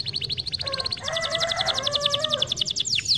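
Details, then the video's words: Canary song for prompting idle birds to sing: steady high ticking trill, joined by a lower warbling layer, then a faster metallic roll closing with a couple of sharp downward sweeps. "Super potente stimola il suono dei pigri"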